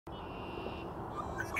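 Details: A Red-winged Blackbird, recorded 18 March 2020, gives a steady, slightly buzzy high note lasting under a second, followed by a few brief higher notes, over constant low rumbling background noise.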